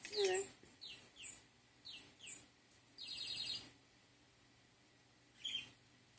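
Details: Male pet budgerigar playing with a toy budgie gives quick falling chirps, then a brief buzzy, scratchy warble and a last chirp.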